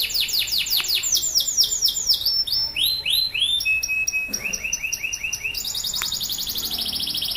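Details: Loud singing male canary, kept as a prompt so silent canaries start singing and youngsters learn. Fast descending sweeps give way to repeated rising whistles, a steady buzzy note, quick rattling rolls, then a dense high trill.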